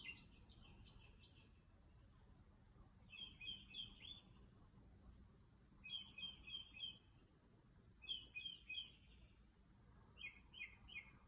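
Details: A bird sings outside a house at 2 am, making all kinds of different sounds. Bursts of rapid, high, repeated notes form short phrases of three to five, given every couple of seconds, with soft low hum behind.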